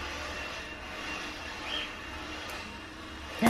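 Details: Steady low vehicle-like rumble and background hiss with no clear animal voice, ending in a brief click.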